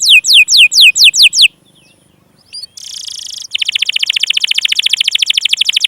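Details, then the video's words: Canary lure song (pancingan) aimed at stuck and young canaries: six slurred whistled notes, a quiet gap, a buzzy burst, then a fast steady rattling trill. "burung kenari pancingan paud dan yg macet"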